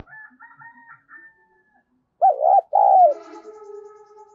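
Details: Decoy spotted dove calling to lure other doves: soft higher-pitched notes at the start, then a loud two-part coo, its second note trailing into a drawn-out lower tail.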